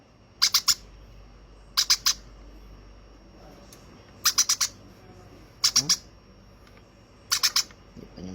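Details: Hand-reared baby conure calling in harsh double and triple squawks, five groups about every one and a half seconds, with soft background hiss.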